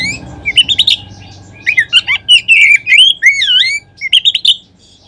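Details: Kacer lure song to trigger magpie-robins into singing: loud, varied phrase of fluty whistles, looping up-and-down slurs and quick chips, with low background noise.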